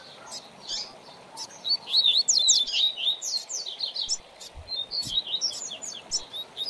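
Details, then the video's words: A double-collared seedeater sings a fast, lively song of high, sweet chirps and slurred twittering notes, about three per second, over a soft steady hiss. "Coleiro Professor Aprendizado"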